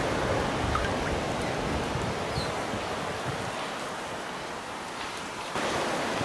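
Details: Steady roar of wind and surf-like rushing noise outdoors, unbroken throughout, with no animal calls standing out.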